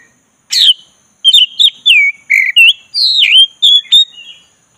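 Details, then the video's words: A black-breasted magpie-robin in easy continuous song, used to rouse a listless bird: a harsh burst, then a dense chain of clear whistles dipping and rising, ending in sharp ticks, with a thin constant high tone in the background. "ngeroll santai!!pancing kacer tak bergairah jadi gacor|kacer dada hitam"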